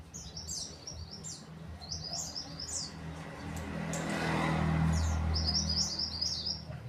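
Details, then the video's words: Mountain white-eye calling males with short bursts of high twittering chirps at the start and end, separated by a steady rumbling background noise that swells in the middle. "MANTENAN GUNUNG GACOR MANGGIL JANTAN"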